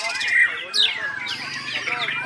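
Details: White-rumped shama giving a clear whistled note, then a sharp upward squeal, followed by rapid chattering and twittering phrases from its learned song repertoire.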